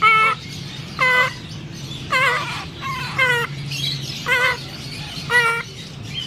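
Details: A grey parrot chick being hand-fed gives nasal, buzzy begging calls about once a second, each a short burst, over a low steady hum.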